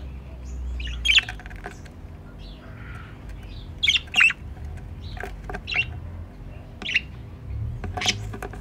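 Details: Budgerigars at their nest box, a possible future breeding pair: short scratchy chirps and squeaks come in irregular clusters, some doubled, separated by pauses of a second or more against faint background hum.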